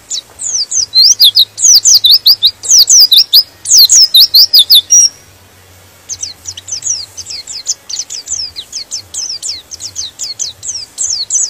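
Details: White-eye song used to provoke other white-eyes to join in: a loud run of rapid, high, descending chirps for five seconds, a brief gap, then a softer, steady stream of similar thin notes.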